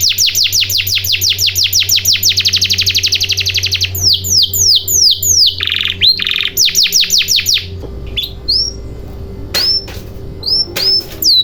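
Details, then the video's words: Canary lure song meant to make silent canaries start singing: a long very fast trill of dense descending notes, then slower whistled downslurs and a harsher lower rattle, ending with sparse rising chirps; a low hum runs beneath. "Pancingan Burung Kenari Macet Bunyi Agar Cepat Gacor"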